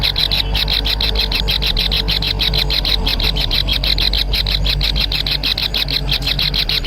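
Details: Nestling kingfishers clamouring for food from their parent, producing a continuous stream of quick scratchy buzzing notes over a noticeable low rumbling background.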